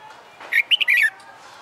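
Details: Short fluty phrase from a caged red-whiskered bulbul trained for fighting song: four rapid liquid notes, rising then sliding down at the end.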